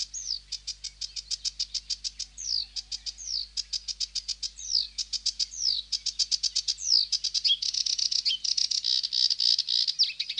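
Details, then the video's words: Rapid sedge warbler song: long runs of quick, regular ticking notes interspersed with sweeping downward-slurred whistles, ending in a dense, harsh buzzing trill. "هازجة البردي المخططةsedge warbler"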